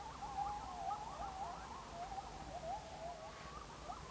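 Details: Elf owl at night near the Salt River by Mesa, Arizona, in desert with saguaro cacti, giving a run of high, wavering, puppy-like yelps and chatters, about two notes a second, over soft hiss.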